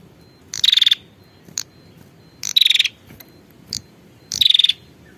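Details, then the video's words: A female prinia calls to a male with three loud, buzzy pulsed rattles spaced almost two seconds apart, each followed by a single sharp tick. "suara pikat burung prenjak betina memanggil jantan"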